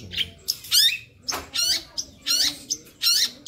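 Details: Long-tailed shrike song with lively fills: harsh, grating buzzy bursts alternating with short sharp notes, repeated in an irregular rhythm a little over once a second.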